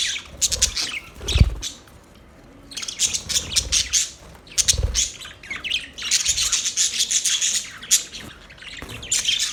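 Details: Chirping budgerigars give sharp squawky notes and scratchy warbles in bursts, broken by several loud low thumps and one near-silent pause early on.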